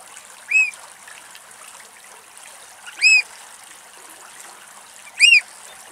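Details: An adult Eurasian oystercatcher with red eyes and legs, at Axios Delta National Park, Thessaloniki, Greece, gives three loud, ringing, arched 'kleep' calls about two to two and a half seconds apart over watery hiss.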